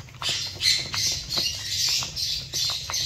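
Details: Continuous chatter from a zebra finch colony. Many birds give overlapping nasal squawks and short buzzy notes with hardly a pause.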